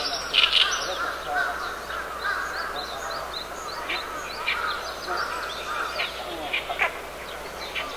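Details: Oriental reed warbler singing on 10 June 2012, recorded with a Lumix DMC-GH2 camera, its raspy, hoarse voice hardly like a small bird's: a steady run of grating, croaking chattered notes with sharper squeaky accents over faint background hiss.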